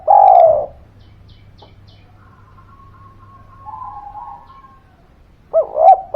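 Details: Spotted dove cooing, used to coax quiet birds into calling: a loud, long falling coo opens, a faint steady tone follows, then a pair of quick rising notes closes, over a low background hum.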